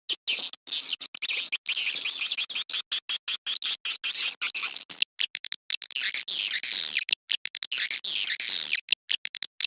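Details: Swiftlet mating call at dusk, used as a lure: quick staccato chirps repeated about three per second, swelling into denser warbling twitters in the second half.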